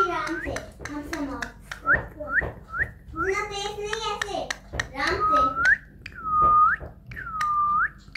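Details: A female rose-ringed parakeet talks indoors in high, speech-like phrases, then gives several clear whistles that dip and rise again, each about a second long.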